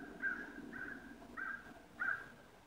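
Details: Ravens calling at sunrise on 22 November 2016: four hoarse, nasal calls, evenly spaced about every half second to 0.6 seconds, over a soft low rumble of background noise.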